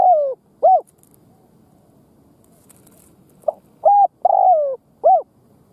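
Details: Decoy spotted dove luring wild birds. A phrase ends at the start, then after a pause a full coo: a soft lead note, a steady coo, a longer sliding coo and a short arched final note.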